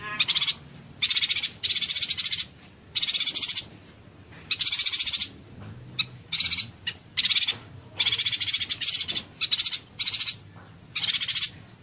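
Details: Yuhina delivering a rapid-fire 'konslet tembakan rapat' song, a tutor recording for songbirds: a long series of shrill, fast-pulsed rattling bursts, some very brief, spread unevenly across twelve seconds with little background noise.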